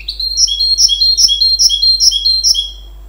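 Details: Goldfinch x canary hybrid singing a high, repeated two-note phrase, a bright chip followed by a lower slurred whistle, roughly every four tenths of a second, against a steady low hum.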